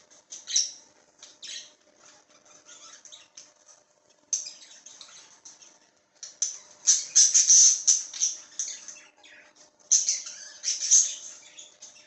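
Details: Baby budgerigars, recorded 4 September 2022, give harsh, hissing squawks and raspy chatter in irregular bursts.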